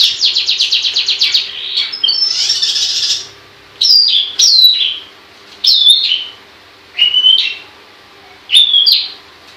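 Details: Long-tailed shrike (pentet) in full voice: opens with a fast, even string of rapid notes, then a harsh burst, followed by single bright down-slurred whistles spaced roughly every one to one and a half seconds.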